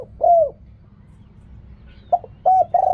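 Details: Spotted dove cooing, riak kham, khu kham and ok rong style. A short arched coo is followed by a pause, then a new phrase of clipped notes running into a sustained low coo.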